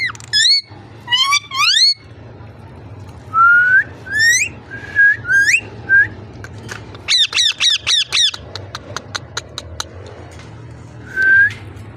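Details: Ringneck parrot giving a varied vocal series: sharp rising squawks, short upslurred whistles, a fast train of clicking notes, then a single long whistled note near the end, with a steady low hum indoors.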